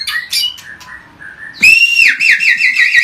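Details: White-rumped shama in agitated provoking song: soft scattered notes, then a loud rising whistle breaking into a rapid warbling trill.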